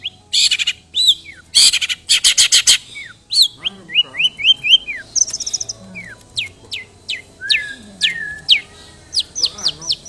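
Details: Long-tailed shrike delivering its lure song of mimicked calls, among them fighting sparrows: rasping bursts, then a run of short falling whistles and sharp rising notes, ending with quick chips.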